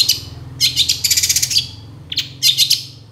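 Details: Long-tailed shrike master recording for training songbirds: quick rattling trills of sharp chirps in short bursts, a lone squeak, then another burst, with a steady low hum beneath.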